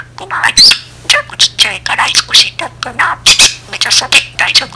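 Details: Budgerigar talking to itself in a gossipy auntie-like manner: a dense run of short, raspy, speech-like syllables mixed with thin high chirps, continuous and irregular, with a faint constant hum beneath.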